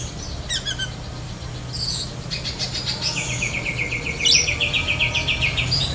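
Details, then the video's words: Song of a black-breasted Oriental magpie-robin imitating other birds such as lovebird: scattered high chips, then a fast, even, rattling trill of repeated notes with a sharp squeak inside it, over low hum and insect-like buzz. "Kacer DAHIT besetan kapas tembak sambung lovebird"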